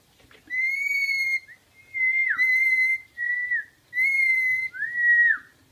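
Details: Whistle game between a pet rainbow lorikeet and a human: long, level, overtone-rich whistled notes alternate with pure falling whistles, in six phrases over about five seconds.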